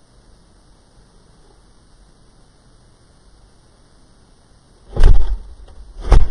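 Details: Low hum and near silence, broken near the end by two loud thumps, with no animal calls heard.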